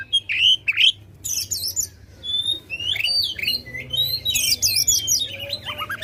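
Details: Oriental magpie-robin kept to provoke contest birds, giving scattered loud whistled phrases, harsh squawky bursts and rapid high chatter separated by short pauses.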